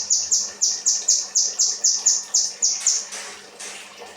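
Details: Kinoi song in the rambatan style, used as training material for cage birds: a rapid series of high, sharp, downward-sliding notes, about four per second, tapering off into softer notes near the end.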